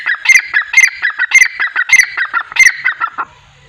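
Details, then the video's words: Francolin, one of nine calling together, possibly flying: loud harsh repeated notes about twice per second, each a grating burst with a sharp click, running for over three seconds before stopping. "9 Francolin Calling Sound | Non Stop Teetar Boli"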